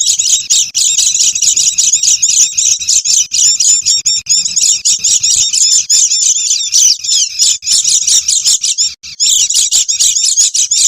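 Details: Lure sound of noisy Oriental white-eyes for attracting wild birds: a long run of rapid, high, scratchy chips and twitters, nearly nonstop, with one short break near nine seconds.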